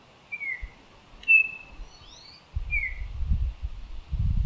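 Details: A male Baltimore Oriole sings pure, liquid whistled notes, some slurring up or down, spaced about a second apart, over a low rumbling background.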